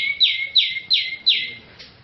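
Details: Cucak jenggot, a national champion singing bird used to coax other birds into song: four loud, clear notes, each dropping steeply from high to mid pitch, spaced about a third of a second apart, in a quiet background.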